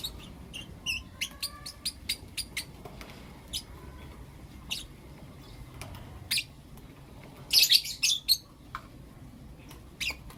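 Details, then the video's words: Morning calls of blue opaline and lutino opaline lovebirds: a series of short, sharp, high clicks and chirps, one brief whistle, then a loud harsh squawky burst. "Lovebird Chirping Sounds and Call Sounds From Blue Opaline & Lutino Opaline"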